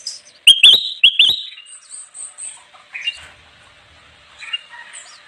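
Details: Kutilang emas bulbul singing in lively form for luring wild birds: two bright whistled phrases with rising kinks open the recording, then quieter scattered chirps and faint high twitters.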